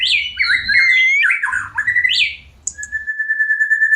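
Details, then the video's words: White-rumped shama song used as a lure to bring birds into breeding condition and prompt mating; varied, fluid whistled phrases sliding up and down, then a long steady whistled tone held to the end. "Suara pancingan murai batu cepat birahi dan minta kawin."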